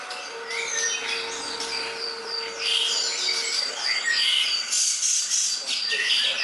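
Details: Leafbird tutor song, greater green leafbird: fast, jumbled chirps and high whistles, growing louder and busier halfway through, with a faint steady low hum early on.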